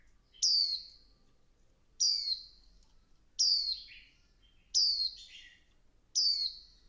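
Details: Five sharp, high-pitched slurred notes, evenly spaced about 1.5 seconds apart, come from a female Swinhoe's white-eye exciting the male to sing 'líu căng lửa'; one note ends in a lower buzzy flourish.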